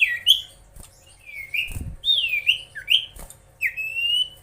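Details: Lively song of a common iora, known locally as cipoh, used to provoke rivals: rapid whistled slurs rising and falling in quick succession, ending on a long drawn whistle, with two dull knocks between phrases.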